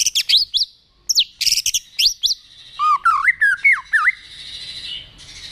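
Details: White-rumped shama being provoked to fight-sing: sharp high whistles in short bursts with buzzy bands, then a lower series of looping, rising and falling whistled notes.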